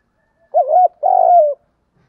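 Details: Spotted dove giving a kích bổi lure coo in thúc gù style: a short wavering double note, then a longer, throbbing, slightly falling coo, low and mellow, on a silent background.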